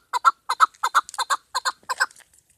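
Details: Female chukar partridge calling, a call used by hunters: rhythmic paired clucks, chuk-kar, chuk-kar, about six doubled notes in quick succession, clear and close with no other sounds.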